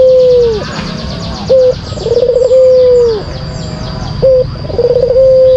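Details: Kept white collared dove repeating its lure song: short clipped coos each followed by a rolling trill and a long, level, low coo that falls away. Faint high chirps of other birds sound behind.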